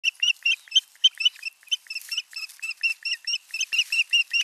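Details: Osprey pair at nest number 5 in Satakunta, Finland, alone together for the first time, 6 June 2023, nest camera: rapid series of sharp, high chirping whistles, closely repeated, almost continuous.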